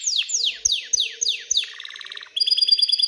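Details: Aroused canary singing to stimulate females toward mating and nesting; six clear downward-sweeping whistles about three a second, then a soft rolling trill and a bright fast series of notes.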